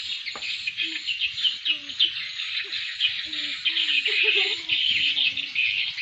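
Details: Swiftlet lure call, said to attract and draw a response from swiftlets: a dense, unbroken mass of high, scratchy twittering chirps, with a few faint lower tonal notes underneath.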